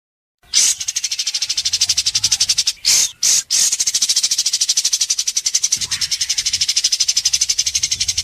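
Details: White-rumped shama in an Indonesian singing competition, delivering sharp 'besetan' strokes of its learned 'masteran' song: a fast, steady train of high, buzzy repeated notes lasting several seconds, briefly broken by two short louder bursts.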